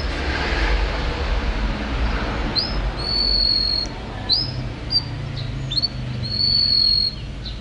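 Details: Yellow canary from 2014 singing high, clear whistled notes that begin after a quiet opening: long steady held tones alternating with short rising chirps, over a constant low rumbling background noise.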